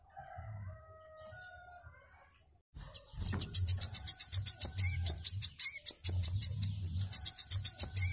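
A small songbird pours out rapid, sharp, high chips, about three or four a second, after a softer opening of whistled tones; a low hum runs underneath.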